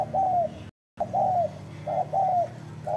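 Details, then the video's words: Spotted dove cooing strongly: low, smooth, drawn-out coos repeated in pairs, broken by one short silent gap, with a low hum underneath. "CHIM CU GÁY SIÊU GÙ"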